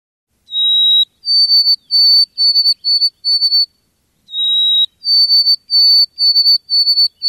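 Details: A White-throated Sparrow, observed in a backyard in Québec during lockdown, sings twice: each song a long, pure whistle followed by a slightly higher series of short, clear whistled notes, with no other sounds.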